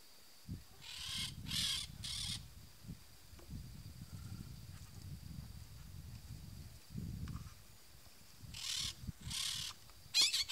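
Peach-fronted Parakeets give harsh, grating screeches in two bursts of rapid notes, over a low rumble of wind.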